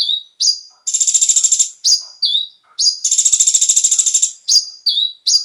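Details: Konin song to encourage caged birds to sing: long dense buzzing trills, each over a second, separated by sweet rising and falling slurred whistles.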